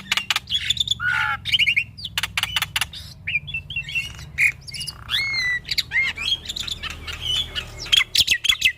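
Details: Male black-winged starling pouring out a dense gacor song full of varied phrases, used to prompt young starlings to sing: harsh squawks, rattles, sharp clicks and whistled slurs tumbling together, over a steady low rumble.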